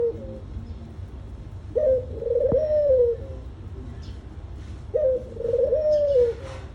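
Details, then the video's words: Dove calling with low, mellow coos around 500–600, each phrase a short rising note followed by a longer wavering coo lasting about a second and a half, repeated roughly every three seconds, with faint background hum. "Beautiful Dove | dove bird | dove call | dove sound"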